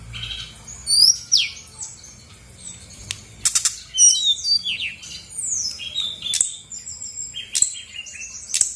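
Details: Female Brown-chested jungle flycatcher of Bali origin pouring out its repertoire of learned phrases, used to trigger singing in silent birds. Sweeping high whistles, twittering runs and abrupt downslurs come with scattered loud clicks.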